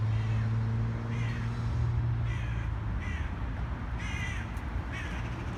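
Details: Black crows attacking a pigeon give harsh, hoarse caws, about six of them spaced irregularly over a few seconds. A steady low hum and rumble of background noise runs throughout.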